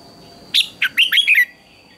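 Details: One crisp red-whiskered bulbul contest phrase sung in the morning: a sharp opening note then four rolling whistled notes sliding downward, with a thin steady high tone in the background.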